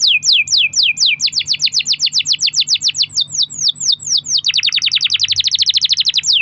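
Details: Canary in long-rolling lure song for stimulating other canaries, steady falling sweeps accelerating into a dense rapid trill near the end.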